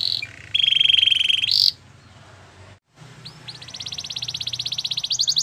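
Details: White canary training song with a bright buzzy roll that cuts off, a short quiet gap, then a rising, steadily pulsed trill that grows louder toward the end.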